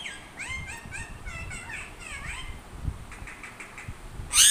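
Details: Parrot chattering in quick, clipped whistled notes with a ringing tone, the notes gradually fading before a sudden harsh burst right at the end.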